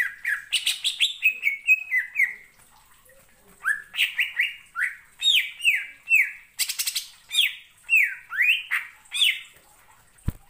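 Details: Greater green leafbird singing to provoke other leafbirds to respond and join in. Loud, rapid downslurred whistles, each sliding from about mid to lower pitch, come in quick irregular bursts with a brief pause midway and a sharp click at the end.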